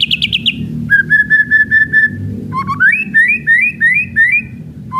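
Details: White-rumped shama singing kretekan, meant to provoke other shamas: five rapid high notes drop into a series of level whistles, then a chain of looping upslurred whistled phrases.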